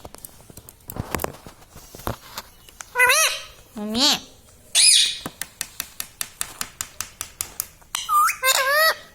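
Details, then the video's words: Pet parrot kept indoors, said to talk 'mummy papa'. A run of sharp dry clicks is followed by several harmonic, wavering, voice-like calls, some rising then falling, with brief quiet gaps between them. "parrot talking mummy papa"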